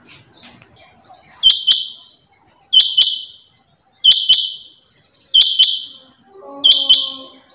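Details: Female rain quail calling: a loud, sharp double note, bright and buzzy, repeated about every 1.3 seconds, five times, with clicking knocks under each call and a soft low hum near the end.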